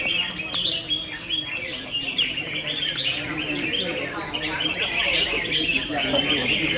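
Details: Competing red-whiskered bulbuls sing a steady run of jumbled, lively chirps and warbled notes, with occasional high rising whistles cutting through.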